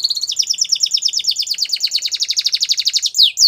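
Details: Spanish Timbrado canary training song made of a long, even, rapid trill of bright chirping notes, ending with two sharp downslurred whistles.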